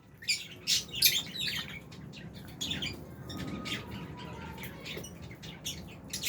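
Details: Rapid scratchy chirps and squeaks from a group of albino and Fisher's lovebirds, loudest in the first second, then continuing as softer overlapping chatter.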